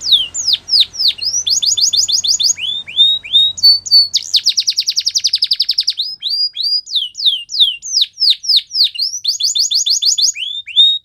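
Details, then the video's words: Canary song running continuously: strings of downward-sweeping notes alternate with fast rattling trills, a dense buzzy roll in the middle, then more sweeping notes and trills; faint low hum early on. "Canary Birds Song | The Best Canary Sounds"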